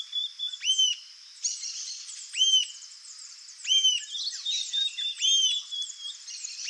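Rufous-tailed Jacamar giving sharp, high rising-then-falling whistled notes, a few per second in short bursts, over a busy backdrop of insects and other birds.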